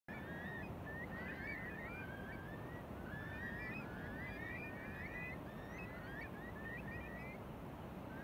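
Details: Eurasian curlews calling on Beadnell Bay, Northumberland, on 21 December 2018: many overlapping rising, fluty whistles from several birds at once, over heavy rumbling wind and surf noise.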